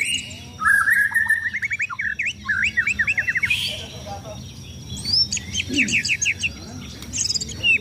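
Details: Caged White-rumped shama in sunbathing routine before contests: fast strings of sharp rising and falling notes in rapid rattling bursts, a short break, then another high chattering burst, with faint bird calls around.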